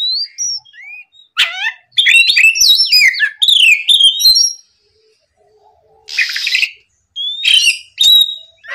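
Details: Oriental magpie-robin in full morning song as a lure for rival birds: dense tangled phrases of rising and falling whistles mixed with rasping bursts, then a pause and a short harsh burst before more whistled notes.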